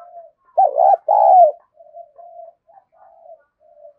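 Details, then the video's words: Spotted dove cooing to lure other doves: one loud, low, hollow two-part coo with a rounded, wavering first note and a longer falling second note, then soft, short distant coos trailing after. "Chim cu gáy kích bổi new"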